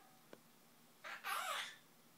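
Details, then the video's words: Indoor pet monk parakeet repeating a learned "bye-bye". One faint click, then a hoarse two-syllable phrase, the second part longer and louder with a slight downward bend, against low room hiss. "Quaker Parrot singing Zipadeedooda, Spongebob and more"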